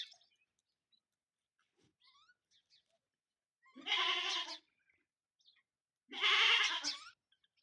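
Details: Fighting peacocks give two loud, harsh, wailing calls, each under a second and slightly wavering, about two seconds apart, with faint soft chirps in the quiet between.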